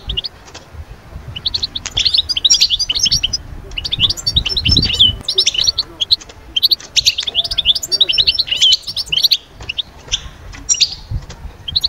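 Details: European goldfinch song used to bring birds out of moult into summer breeding mood: rapid, twittering, high-pitched chirps and trills in dense bursts, with brief pauses and faint low background rumble.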